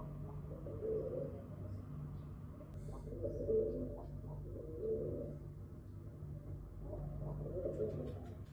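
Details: Low, rolling pigeon coos at a window come in several soft bursts, each about a second long, over a constant low humming background with occasional light taps.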